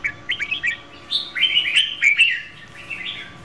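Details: Female red-whiskered bulbul singing to stimulate a male: short chirped notes open into a rich, fluty warbling phrase with rising and falling notes, then fade into softer twitters.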